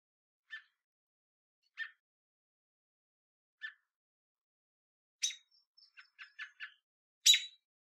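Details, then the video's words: Adult American robin in Southern Ontario, Canada, giving sharp, clipped alarm notes near its hopping fledglings to warn off a person and distract: three spaced single chips, then a rapid stuttering burst of tuts ending in a loud squeak. "American Robin Warning Call - Robin Call"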